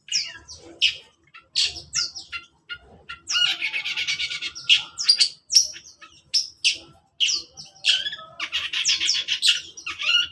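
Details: Long-tailed shrike in the morning delivering a long, varied song: quick high chirps and downslurred whistles, a sustained dense grating passage in the middle, then rapid twittering runs of sharp notes.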